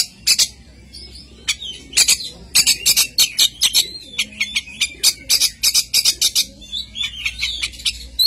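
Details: Energetic oriental magpie-robin song, mostly quick harsh chattering bursts in an uneven rhythm, mixed with a few thin whistled notes near the end.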